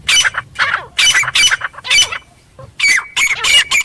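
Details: Grey francolin in the wild jungle: short bursts of harsh, grating notes in quick pairs, a brief lull near the middle, then a tighter run of shrill calls.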